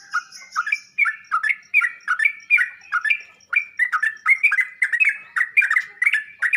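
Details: Sooty-headed bulbul singing a lively string of liquid, warbled two-part notes, used for training birds so they answer and break into song. Phrases repeat almost without pause. A thin high hum is heard briefly at the start.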